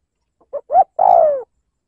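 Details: Cooing spotted dove used as a lure to stir up rivals, 'liêu lỡ' style: two brief low notes, then a long, drawn coo that slides gently downward. No other sounds.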